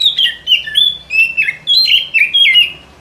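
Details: White-rumped shama song played as a forest trapping lure, a rapid string of clear whistled notes, each dipping and rising, delivered about twice per second without pause.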